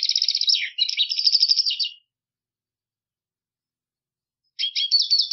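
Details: Loud, continuous buzzy twittering song of a Black siskin, dense rapid notes for two seconds, then silence and a second short twittering burst.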